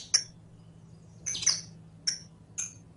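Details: Saffron finch (canario criollo) singing as a teaching recording for caged birds: four separate bright, high chip notes, one a doubled burst, spaced about half a second apart, with a low steady hum beneath.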